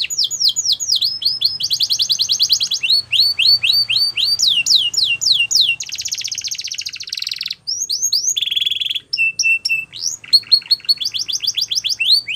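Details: Canary singing to prompt other canaries to join in: loud high-pitched rolling trills that switch often between tour types, fast downslurred notes, dense buzzy rolls and short flat whistled stretches, with brief pauses between phrases.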